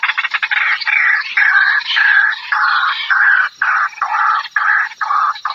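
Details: Loud, grating squawks of a white-breasted waterhen from a lure recording: long harsh notes about half a second each, broken by brief gaps, irregular and raucous, with a low hiss behind.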